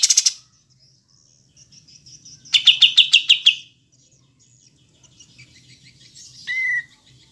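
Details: Olive-winged bulbul (kapas tembak), clear recording with long pauses: faint high notes, then a loud burst of about eight rapid chattering notes, followed by softer twitters and one short downward-slurred note.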